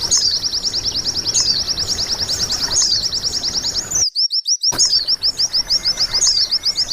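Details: White-eye song played to tutor caged birds into singing: steady, very high, rapidly repeated chirp notes, about three per second, broken by a short silent dropout before the chirping resumes.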